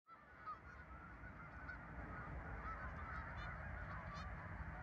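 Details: Geese at a farm park on 10 November 2024, a flock honking together: a dense, continuous chorus of overlapping nasal honks with no pause, over a low rumbling background.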